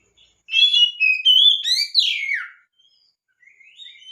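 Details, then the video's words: Lure song of an oriental magpie-robin, meant to make lazy or silent magpie-robins start singing: rich whistled phrase of warbled notes, quick upsweeps and a long descending slur over two seconds, then soft trailing twitters. "PANCINGAN BURUNG KACER GACOR‼️BURUNG KACER ANDA IKUT GACOR PAKE PANCINGAN INI"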